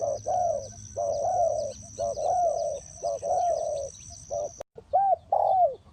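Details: Decoy spotted dove at a bird trap calling in a run of arched, mellow coos in close pairs and groups, a continuous high-pitched whine behind, with a brief cut near the end.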